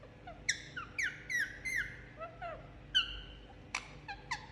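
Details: Pet Indian ringneck parakeet enjoying a head massage indoors, giving a run of short harmonic squawks and descending chirps, several spaced notes in quick succession, some sliding downward, in a quiet small room.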